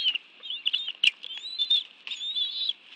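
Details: Bald eagles at their nest in the National Arboretum, Washington, D.C., on 11 June 2017 around 2:23 PM, two adults having brought fish for a meal with two young; thin, high whistled chirps and short slurred notes come in uneven bursts.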